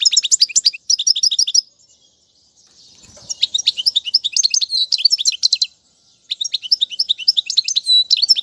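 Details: European goldfinch singing to tutor chicks: phrases of quick, high, liquid chirps and short trills, broken by two silent gaps, with faint clicks in between.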